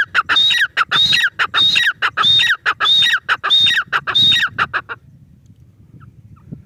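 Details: Loud, regular grey francolin calls, each phrase opening with a high drawn whistle and dropping into harsh descending syllables, repeated about every half second for five seconds before fading to quiet.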